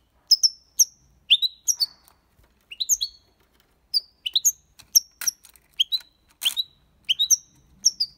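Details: Goldfinch song used to stimulate young birds, Málaga copy style: scattered high, thin whistled notes and short chirps at irregular spacing, with a few sharp clicks between them.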